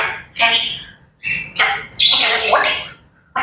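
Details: Morning chatter from grey parrots: a run of harsh, broadband squawks and screeches coming in quick bursts, with a shrill whistled note inside the loudest stretch.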